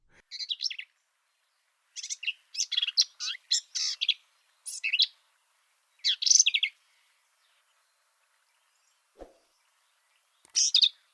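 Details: Black-capped Vireo in Texas singing rapid, scratchy bursts of jumbled high phrases, each under a second, in quick runs with short pauses; no two songs are alike, drawn from a very large repertoire.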